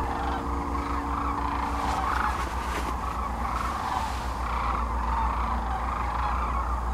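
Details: Sandhill cranes gathered in spring along the Platte River in central Nebraska, mid-March 2009, during their northward migration; a dense, continuous rolling chorus of many birds, with a steady low rumble underneath.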